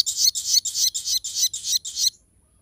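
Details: Crested jay in sharp 'tembakan' song, used for training and luring other birds: seven harsh, rasping high bursts in steady succession, each about a quarter second, then quiet with a faint low hum beneath.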